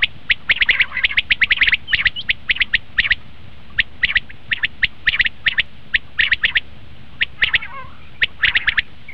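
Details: Common quail, recorded as a lure for quail hunting, delivering a fast, busy run of sharp clipped notes, grouped in twos and threes with short pauses, continuing throughout over low hiss.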